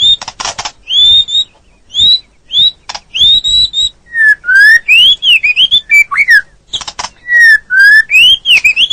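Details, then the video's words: White-rumped shama training song with rich fill-in phrases, used to train caged birds for daily keeping or contests: clear whistled notes near one pitch, then rising and falling slurred whistles mixed with sharp broadband clicks, delivered in quick varied bursts. "Masteran Burung Murai Batu full durasi+Isian mewah!!!"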